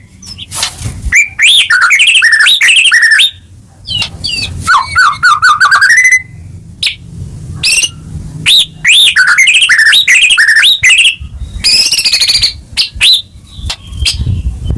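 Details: White-rumped shama in full continuous song, played to spur silent or stressed caged birds: bursts of rapid whistled trills, a rising whistled sweep, sharp ticking notes and varied looping phrases separated by short pauses, with faint low rumble.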